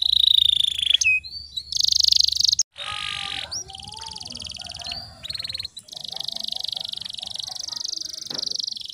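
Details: Canary song played as a lure to get stalled canaries singing again: dense high buzzy trills alternating with quick whistled notes and rolling tours, broken by a brief pause midway, then a long sustained rattling trill.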